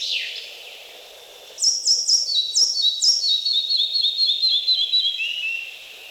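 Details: Forest-dwelling Red-breasted Flycatcher, Wielkopolska National Park, Poland: after a brief high note and a pause, a lively string of repeated paired whistles dropping in steps, fading lower at the close.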